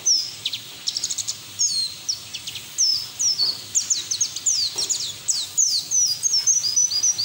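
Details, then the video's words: White-eye song used as training lure for other white-eyes: busy high twittering and short down-slurred whistles over a steady background hiss, notes crowded and varied. "PLECI NGERIWIK TELER BUKA PARUH NGALAS UNTUK TERAPI PLECI BAHAN"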